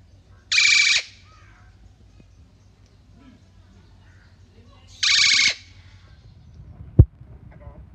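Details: A female Eclectus parrot (Eclectus roratus) at an aquarium in Mysore mimics speech, saying "hello" twice in a harsh, rasping half-second word about four seconds apart, over a low hum with one sharp knock.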